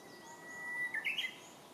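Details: Unseen Japanese bush warbler in an Akita City park, May 2017, gives a held pure whistle that breaks into a short, loud, jumping two-part ending, with soft ambient noise.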